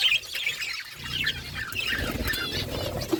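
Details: Several pet budgies talk to each other in a continuous high warbling chatter of quick wavering chirps and trills, over a faint low background rumble.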